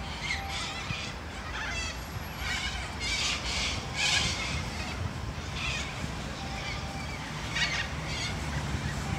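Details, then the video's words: A large flock of Sulphur-crested Cockatoos and Corellas at Sunbury, Australia, gives harsh, raspy, overlapping screeches in bursts every second or so; owner wonders whether they are fighting. Steady background rumble and distant birdsong. "Loud flock of Cockatoos Sulphur Crested & Corella BIRD SONG"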